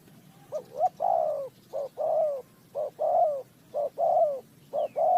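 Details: Spotted dove in a bird-trapping context, Ninh Thuận: a run of five loud coo phrases about one per second, each two quick rising notes leading into a sustained, slightly falling coo, over a quiet rural background.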